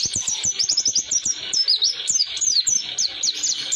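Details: Long rolling song of an Oriental white-eye, or pleci, for training songbirds: quick, high, thin notes falling in pitch, chained in rapid series with brief gaps, and faint clicking beneath.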